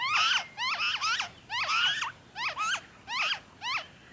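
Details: Loud, close noisy friarbird in Victoria, Australia, February 2023, pouring out rich, strident notes with stepped downward slides, some doubled or run together, at an uneven rhythm.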